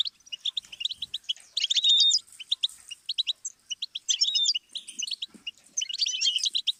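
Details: Stimulus song of a goldfinch for song learning: lively, chattering phrases of sharp chirps and short buzzy runs, rising and falling in bursts separated by brief gaps.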